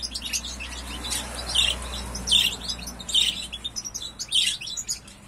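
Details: A young European goldfinch (Carduelis carduelis) in its song-learning stage in 2021, practising subsong: thin, high twittering with brighter tinkling notes about once a second over a faint low hum.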